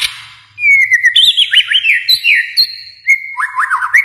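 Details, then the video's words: White-rumped shama from Kalimantan singing a rapid series of bright whistled phrases, with quick downward-sweeping notes and slurred warbles after a brief quiet start. "murai batu Kalimantan"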